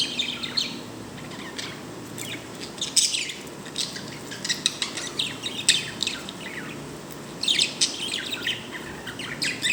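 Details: Happy sound from a pet bird: a steady run of brief high chirps and clicky tweets, coming every second or so and clustering into busier flurries near the end, with soft background hiss.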